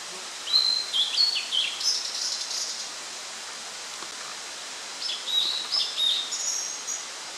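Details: Blue-and-white flycatcher singing on 8 June 2013: two clear whistled phrases of sliding, slurred notes that climb into a higher, buzzy ending, separated by a pause of about two seconds over a soft background hiss.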